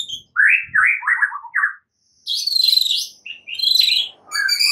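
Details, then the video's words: White-rumped shama in the morning, sound of a bird learning to fight, used as a lure; harsh buzzy chattering phrases, first lower and scratchy, then higher rasping bursts separated by brief silences. "Pancingan murai batu PAGI HARI dengan suara murai Belajar TARUNG"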